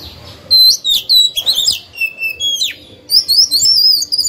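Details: Oriental magpie-robin singing as a decoy to provoke rival birds: loud varied phrases of clear whistles and downward-sweeping notes, ending in a fluttering high warble, all very close and clean.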